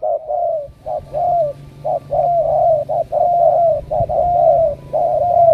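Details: Cooing of spotted doves from Cà Mau, Vietnam: dense, nearly continuous low coos that run together, with short notes and longer sliding ones overlapping with little silence between.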